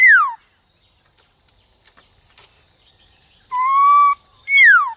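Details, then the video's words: Black-throated laughingthrush duelling with another laughingthrush: one falling whistled slur, a long pause, then a steady level whistle and another loud downward slur, all over a constant high hiss. "Khướu bạc má Hót Đấu với khướu ngoài"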